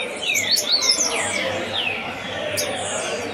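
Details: Lined seedeater (coleiro) taken to begin feeling the competition climate before a tournament: a few quick descending whistled notes and a high sharp note, over a low background hum.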